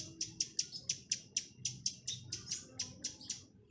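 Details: Chestnut-capped laughingthrush lure bird in the 'tạch' clicking style for attracting wild birds: loud, dry, snapping notes at roughly four per second, slightly uneven in spacing, over almost four seconds.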